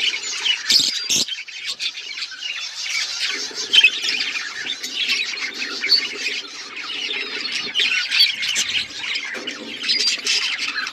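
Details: Pet budgerigars chirping: a continuous dense chorus of scratchy, high twittering chirps and squawks from several birds, with a low buzzing hum running underneath in places.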